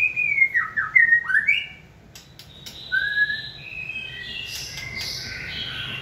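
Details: White-rumped shama, a trained songbird stimulated to sing: smooth whistled phrases sliding downward, a pause, then a higher single whistle followed by softer rising notes.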